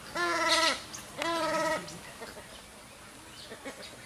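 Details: An Orinoco goose gives two nasal, reedy honks, each about half a second long and a second apart, then a few faint softer notes. Recorded at Santa Marta, Magdalena, Colombia, about 2 m above sea level, on 7 January 2018.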